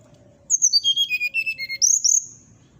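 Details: Whistling 'nyuling' song of a brown-chested jungle flycatcher, said to provoke neighbouring flycatchers: pure notes cascade downward in a quick stepped series, then jump back up to a brief pair of sharp, high, upslurred whistles.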